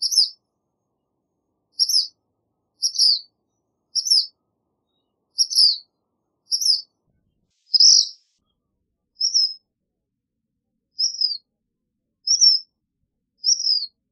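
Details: A long run of crisp, high chips from a black phoebe, about one a second, starting sharp and loud and shifting to thinner, downslurred notes later.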